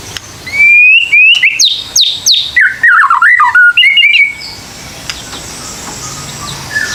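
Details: White-rumped shama song used to encourage young birds to sing: a loud, fast sequence of rising whistles and clicks, then lower tumbling warbled notes and a final whistle, fading to quiet with faint background chirps.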